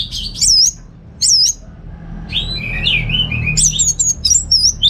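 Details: Orange-headed thrush in North Bali, kept at home as a tutor bird, gives two loud looping whistles, then a warbled descending run and a fast, tinkling receh-style series of high notes. A low hum runs beneath.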